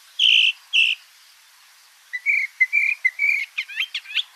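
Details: A Northern Mockingbird in Sonoma County mimics other birds, repeating each phrase about three times. It sings high, bright sets: a harsh buzzy note twice, then a run of short clear whistles, then quick slurred chips.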